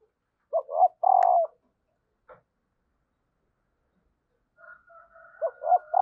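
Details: Female spotted dove call to set males cooing: one low three-part coo, a long pause, then a thin steady higher tone runs under a second coo.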